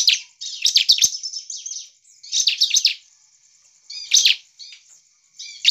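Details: Bar-winged prinia in full song, played to make rival birds answer: dense, high, scratchy twitters in two long bursts, followed by shorter chirping phrases and a thin sustained high whine underneath.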